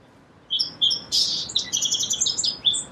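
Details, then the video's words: High, bright notes open into a fast, busy jumble of chips and a buzz, a single song phrase of about two and a half seconds from a song sparrow. "Song Sparrow Bird Sound"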